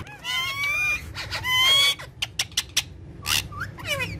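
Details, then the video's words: Parrots of a talking parrot family playing with each other on a charpai. Long harmonic, nasal calls with slight wavering alternate with sharp clicks and brief squeaky whistles. "So Funny And Cute Parrot Of Talking Parrot Family"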